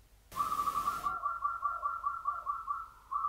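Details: Local zebra dove of the Mataram rhythm style, a champion, giving a fast, even run of short pulsed coos. A brief rushing noise covers the start, and a faint hum sits in the background.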